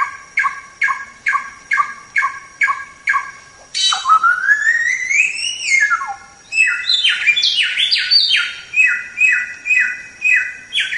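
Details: White-rumped shama tutor song: repeated short falling notes, then a long smooth whistle that rises and falls, followed by a run of bright, varied descending phrases.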